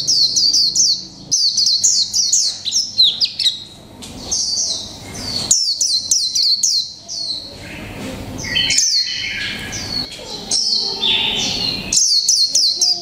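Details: Extended 'líu pha chòe trống' song from a mộc tinh white-eye kept caged for a month: repeated runs of high flicked chirps and whistled phrases, some lower warbled notes, with brief gaps between bursts.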